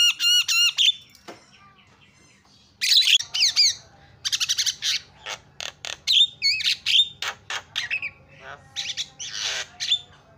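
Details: Provocation calls of a Javan myna: a loud burst of wavering whistles, a pause, then bursts of harsh rasping squawks alternating with clear sliding whistles.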